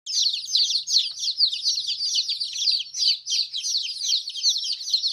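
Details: Colourful chicks chirping together: a dense, continuous chorus of high, shrill peeps, each a quick downward-sliding note, overlapping from many birds with no pause, and no other sounds.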